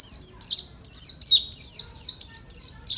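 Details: Oriental white-eye, a caged fighter bird, sings high thin notes in short bursts, each a quick descending slur repeated roughly every half second.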